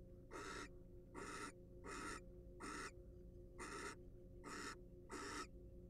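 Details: Wild barn owl in a monitored research nest box, seven harsh, breathy hissing screeches in six seconds, each a short noisy burst, spaced irregularly, over a steady low electrical hum.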